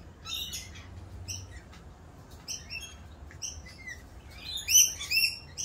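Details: Rainbow lorikeets during mating season, noisier than usual while performing their mating dance; scattered short shrill chirps and squeaks, sparse at first, building to a denser screechy flurry near the end.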